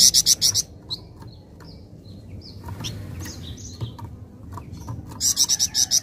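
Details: Flameback giving rapid, evenly spaced high rattling bursts of about ten sharp notes, one opening and another closing the stretch, with faint chirps of other small birds in between.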